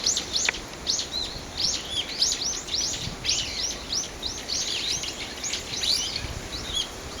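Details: Birds calling beside a side path at Aobagaike pond, Japan, on 20 December: many short, high chirps and clipped notes, overlapping and repeated rapidly, over steady outdoor background noise.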